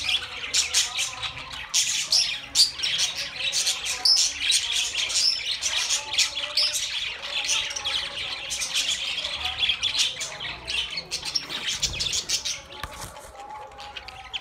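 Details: A budgie flock warbles and chirps continuously for over fourteen seconds, with quick, irregular squeaks and scratchy notes, about two bursts each second, and thin whistles scattered throughout.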